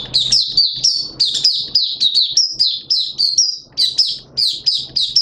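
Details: Hobby-kept Oriental white-eye of Malaysian origin in open 'buka sing' song: a brisk, unbroken stream of high-pitched chirps and short downslurred whistles, tumbling rapidly and irregularly for five seconds.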